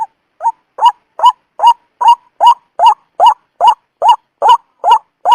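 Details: Repeated croaking call of the white-breasted waterhen used to attract birds for trapping: about thirteen harsh rising notes, the first ones quieter, building to a loud, very regular pulse over five seconds.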